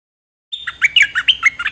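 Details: Dok Taeng bird song used to coach young birds and excite them: a short, hurried burst of bright, warbled chirps, each slurring downward.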